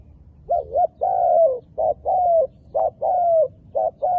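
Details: Dark-feathered wild dove calling in quick alternation: short clipped coos and drawn-out, gently falling coos follow each other almost without a break, low and mellow, with a soft background hum.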